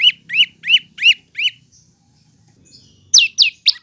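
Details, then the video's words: High arched chirps from a prinia (prenjak lumut or lancur), meant for training cage birds, come in a quick run of five, pause briefly, then resume with sharper downslurred notes. "Burung prenjak lumut atau lancur masteran"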